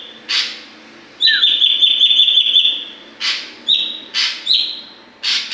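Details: Learning oriental magpie-robin in full voice, practising song phrases: a long, even high whistle with a brief downslurred note beneath, then separate rasping, buzzy bursts alternating with short rising whistles.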